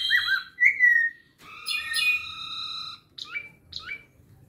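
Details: Clay-colored thrush giving mixed vocalizations: a slurred whistle and a clear downslurred note, then a rich, harmonic, sustained call, followed by two short drooping chirps, over low background rumble.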